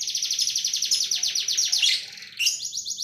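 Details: Canary singing sharp 'tembakan' bursts: one long, evenly paced trill of repeated high notes for about two seconds, then a switch to a brighter, faster roll.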